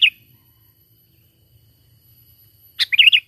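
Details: Sooty-headed bulbul natural call used to lure birds for trapping. One clipped note, then quiet for nearly three seconds, then a bubbly phrase of five fast rolling whistled notes.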